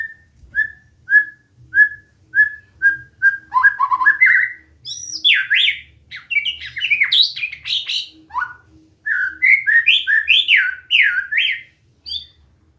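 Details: White-rumped shama in song training: short even whistles about every half second speed up into a long run of varied, warbling phrases with sweeping and buzzy notes, broken by brief pauses.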